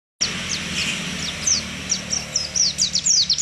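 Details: Caged white-eye of the wild-type jarawa variety, a champion songbird in Indonesia: thin, high, quick downslurred chirps, sparse at first, then coming faster in a run, over steady background hum.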